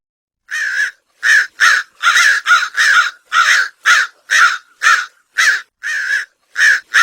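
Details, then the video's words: Rapid crow cawing: about fourteen short, clipped, harsh notes in quick succession, some nearly running together, against a silent background. "Crow sounds / Crow call to Attract Crows for food / Crow Sound effects"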